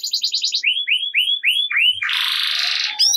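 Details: Singing canary in 'ngerek' style, meant to make reluctant canaries join in. A quick burst of high repeated notes, then five arching slurred whistles, ending in a harsh, broad buzzing trill.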